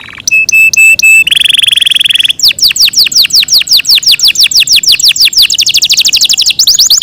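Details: Long melodious song of a captive Yorkshire canary: a few clipped notes and a steady whistled tone, a harsh buzzy burst, then rapid falling whistles repeated in quick series, closing with a dense high trill.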